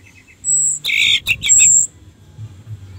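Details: Orange-headed thrush song used as a lure to stir other thrushes to sing: a high thin whistle, then bursts of rich, buzzy, warbled notes with a bright sustained whistle, after soft opening chirps.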